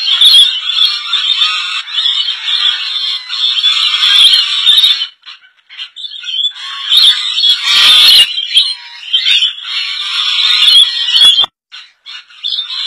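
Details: Colony of rainbow lorikeets in Indonesia: a dense, continuous wall of harsh, shrill screeching from many birds, pausing briefly twice before resuming.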